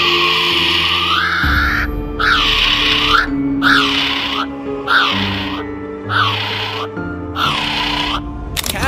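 A kiwi gives about seven harsh, rising-then-falling shrieks, roughly one a second, over steady background music.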